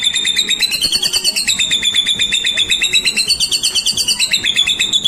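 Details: White-rumped shama song used to provoke other birds to sing: a rapid, continuous run of high chattering notes about three per second, steady and dense throughout, with faint low background noise.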